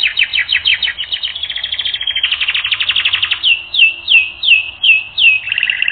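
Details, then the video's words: A canary sings for a training recording. It gives rapid repeated sweeping syllables and a brief level whistle, then a denser rolling trill. Slower, evenly spaced swooping notes close the phrase. "Canary Training Record N°10"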